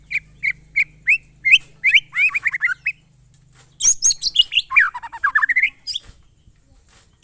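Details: Murai batu, the white-rumped shama, in monotonous glondong song: evenly repeated short whistled notes rising in pitch, then a dense high burst curving down into a U-shaped run, with a soft low hum beneath.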